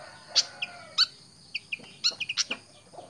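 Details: Pied fantail, described as tame, giving short, sharp high chirps in loose clusters, some doubled, with uneven gaps over three seconds; quiet background.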